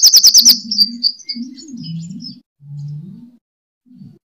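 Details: Lure recording of a sunbird fighting song for training birds. It opens with a rapid burst of sharp, high, clicking chips, then thin twittering notes that fade, while a low wavering hum continues alone.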